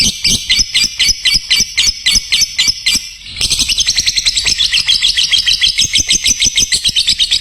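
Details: Lovebird master audio for training birds: evenly spaced harsh chirps, a brief pause, then a quicker, denser chattering run that continues to the end.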